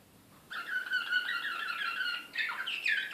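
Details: Serbian Slavujar canary from Belgrade, 2016, in an excited state: a sustained smooth rolling trill held for nearly two seconds, followed by a harsher, higher rattling flourish, all in quiet surroundings.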